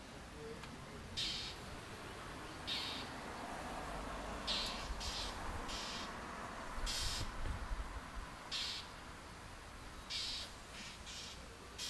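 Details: A Northern mockingbird harassing a juvenile red-shouldered hawk in territorial defence, outskirts of Orlando, Florida, 5 May 2019, gives harsh, noisy chack notes singly or in quick pairs every second or two over a low rumble.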